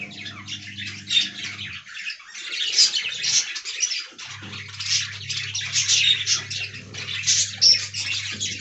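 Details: Talking budgies in an aviary colony: steady rasping chatter with occasional clear whistled notes, and a low hum that drops out for a few seconds midway.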